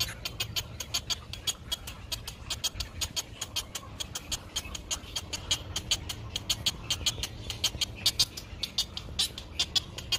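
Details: Great egret chick in its nest under sunshine, begging while it waits for its mother to bring food: sharp clicking notes in a brisk, slightly uneven rhythm, about one per second in clusters, low background rumble.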